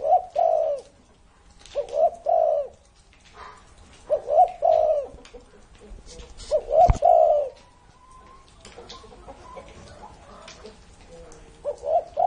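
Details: A spotted dove over 30 years old, a kept ornamental bird, coos in low, mellow phrases: each a short two- or three-part hooting burst, repeated every two seconds or so, with pauses, one sharp knock and faint background chirps.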